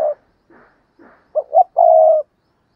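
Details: Spotted dove kept as a decoy to attract wild doves: soft low notes, then a clear phrase of two quick hooting notes and a drawn-out, slightly falling coo.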